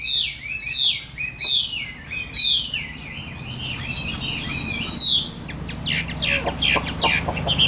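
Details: Adult wild-caught Chinese hwamei in a cage sings bright downslurred whistled phrases at roughly half-second gaps, then softer twittering notes, with a low background hum.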